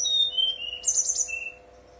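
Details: A brown-chested jungle flycatcher delivers a brief lure song to coax other birds into singing, starting with falling thin whistles and ending in a rapid, shrill, trilled cluster and one lower whistle, a constant faint hum beneath.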